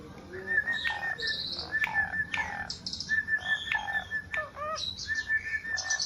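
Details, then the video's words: Tame Javan pied starling singing a varied medley: steady mid-pitched whistled tones mixed with buzzy notes, sharp clicks and short rising chirps, repeated in uneven phrases. "Jalak suren jawa super jinak dan gacor"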